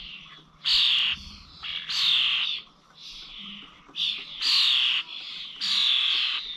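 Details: Common starlings at Corby old village bird feeders, 21 November, uttering coarse, buzzy squawks of about half a second, roughly one every 1.3 seconds, with softer scratchy notes between.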